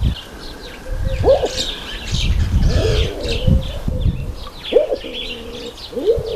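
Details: Speckled pigeon (Columba guinea) giving low, hollow coos that swell upward and then hold, about four in six seconds, over a rumble of wind with faint chirps of small birds.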